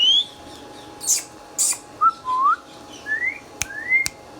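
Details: Pet green Indian ringneck parrot, a talking bird, producing a run of short upward-curving whistles of varied pitch, mixed with brief hissy bursts and a few crisp clicks.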